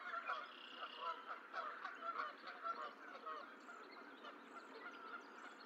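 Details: Goose calling from an eagle nest in Decorah where six goose eggs have hatched, 14 April 2024; a rapid run of nasal honks that grows softer after about three seconds, with faint birdsong behind.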